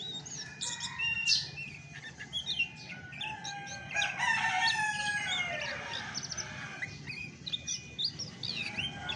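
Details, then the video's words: Chestnut-backed thrush singing in its original voice: a loud, rich, rambling song of downward-slurred whistles, rapid trills and sharp high notes, with a stronger passage in the middle, over a low hum. "SUARA ASLI ANIS MACAN TAPA MASTERAN"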